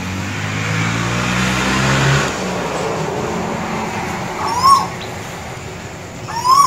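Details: An Asian koel singing in Sri Lanka gives two loud, rising whistled notes about two seconds apart, after the low rumble of a passing vehicle fades.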